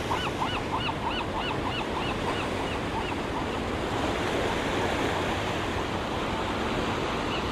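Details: Black oystercatcher (Haematopus bachmani), a parent with its chick feeding on mussels, gives loud, sharp piping whistles in a quick, slightly uneven series for about three seconds, then falls quiet over crashing surf.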